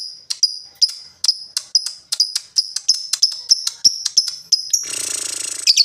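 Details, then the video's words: Lovebird ticking rapidly in 'ngetik' style, a dense run of sharp high notes, then breaking into a brief buzzy 'ngekek' rattle and squeaks. "LOVEBIRD NGETIK NGOEK LANJUT NGEKEK"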